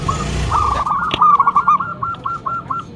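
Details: Loud local zebra dove, kept as a lure to draw other doves to answer: a rapid string of even, hollow cooing notes that slow and space out toward the end, with a brief click and low background hum.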